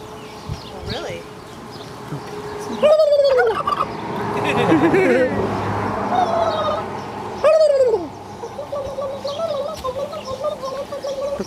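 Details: Turkey answering people who entice it to gobble: two loud, fast, rattling gobbles falling in pitch, about four and a half seconds apart, with murmuring voices and background noise between them.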